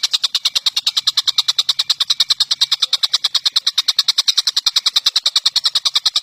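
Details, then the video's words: Indonesian tengkek buto or cucak jenggot in a training recording for songbirds: an even, fast, buzzy chatter of clicking notes, repeated roughly three times a second, clean and loud throughout. "Masteran Burung JUARA || TENGKEK BUTO vs CUCAK JENGGOT"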